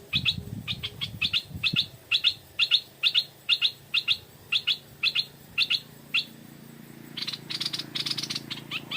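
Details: Stripe-throated bulbul at about four in the evening, drawn in by a decoy bird: a steady series of short, bright notes about twice a second, then a denser twittering burst, with rustling at the start.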